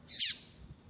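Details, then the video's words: Female double-collared seedeater calling to stimulate a male to sing: one short, harsh, buzzy high note with a slight downward sweep at the end, over a quiet background. "FÊMEA PAPA CAPIM PIANDO PARA O SEU PAPA CAPIM FICAR LOUCO PRA CANTAR"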